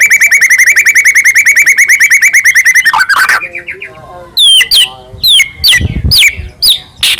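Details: White-rumped shama of the Medan type singing vigorously, full of varied fills, a lure to make other shamas sing and grow agitated: a fast run of repeated buzzy rising notes, then sharp swooping whistles and scratchy notes.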